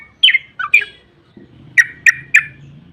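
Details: Sooty-headed bulbul, with its long rapid song offered as a lure to get others singing: a few bright chirped notes, a pause, then three evenly spaced sharp whistled notes, with faint low background hum.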